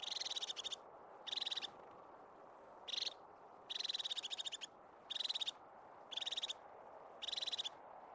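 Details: Crested tit calling in native pine forest of the Scottish Highlands: seven bursts of fast, buzzy, purring trills spaced roughly a second apart, some brief, others longer, over soft background hiss.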